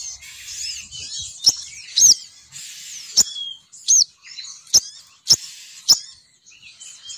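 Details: Female sogon bird call used to lure males down. High, squeaky chirps and slurred whistles overlap with regular sharp clicks, roughly one every half second to second.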